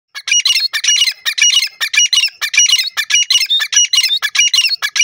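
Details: Female francolin calling in a fast, continuous series of harsh, squawky, high-pitched notes, roughly one and a half per second, uneven in rhythm and loud throughout, with no other sounds.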